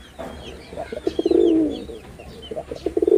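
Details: Male red-bordered wild pigeon performing: a low, throaty rolling coo swelling in the middle, with soft repeated clicking or pecking sounds before and after and faint high chirps from other birds.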